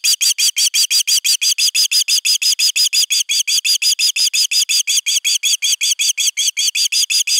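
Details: Nest-defending osprey, nest #3, 31 August 2021. An unbroken, very regular string of about three shrill whistled yelps per second, each note slightly arched in pitch, persisting throughout.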